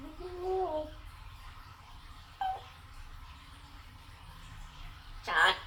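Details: A pet African grey parrot, said to call to be let out of its cage, calls in a voice-like rising and falling phrase, then a brief word, ending with a sharp harsh squawk in a small room.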